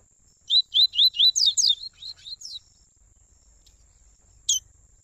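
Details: 'Tui tui' warm-up song of a Double-collared seedeater pair, father and son. A fast series of about eight sharp rising whistled notes fades into softer, shorter ones, followed by one lone chip after a pause. A faint constant high hum runs underneath.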